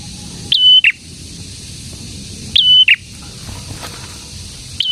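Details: Prinia, or prenjak, giving piercing phrases about every two seconds, each a quick upward chip, a long even whistle and a lower buzzy close, with quiet gaps between.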